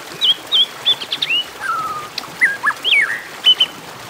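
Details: White-rumped shama fighting song in the 'kéo thuốc lào' style, used to provoke other shamas: a varied run of short clear whistles, some rising and some falling, with brief slurred notes and a few quiet clicks.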